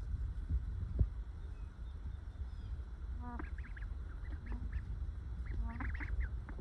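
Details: Ducks resting calmly together in the sun, giving what is described as their happy duck noise: soft, nasal quacks in short stacked bursts near three, four and a half and six seconds, over a low rumbling ambient background.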